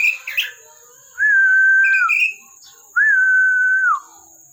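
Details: Caged Oriental magpie-robin: two long level whistles, each ending in a falling slur, spaced about two seconds apart, with brief chirps at the start and a constant thin high tone behind.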